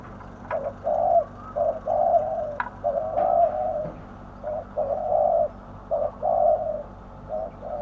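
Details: Spotted dove kept as a decoy bird to lure wild doves to a trap, giving its noted voice: mid-pitched hoarse coos in short groups of two to three notes, repeated steadily over about eight seconds, with faint clicks behind.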